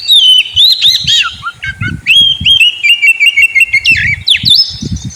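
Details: Caged white-rumped shama, described as sulking and reluctant to sing, giving clear whistled notes that slide and hold at steady pitches, with sharp chips between phrases and low thumping knocks in the background.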